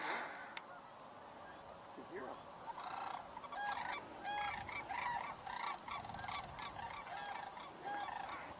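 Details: A flock of cranes, some in the grass and some closer than they seem, gives overlapping rolling, trumpeting calls in irregular bursts, near and far, over a steady background hiss. Frogs can also be heard.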